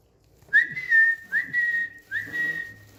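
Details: Three sustained, fairly flat whistled notes, each opening with a quick upward slide and then holding steady, from a pet Indian green ringneck parrot on a bed indoors.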